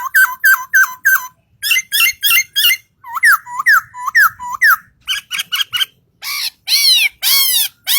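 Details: Bird singing in fast runs of hooked, whistled notes, about four per second, then rasping buzzy bursts and sweeping harsh squawks toward the end; indoor-sounding, nothing else audible.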